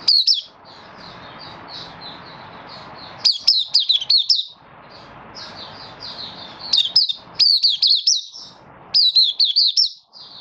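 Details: Oriental white-eye, a Malaysian Mata Puteh hobby bird in minor moult beginning to sing, recorded 24 August 2023. Repeated loud volleys of thin, high, descending whistles, each volley several notes long, interspersed with quieter rapid twittering.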